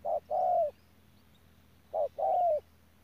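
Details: Decoy spotted dove at Đức Cơ repeating its call twice: a quick soft note, then a longer burry coo that slides gently downward, separated by a second of near silence.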